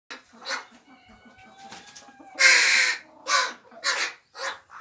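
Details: Juvenile crows in an aviary, all able to feed themselves. One noisy youngster is still fed by other young crows acting as parents. Harsh, rasping, hoarse caws in quick bursts about every half second, one long loud squall, and a few thin whining notes.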